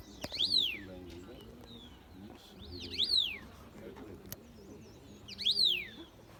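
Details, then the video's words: A bird repeats a high, whistled note that rises and then drops sharply, heard three times about every two and a half seconds, with a low murmuring background and a brief click. "Bird 🦅 Chirping sound"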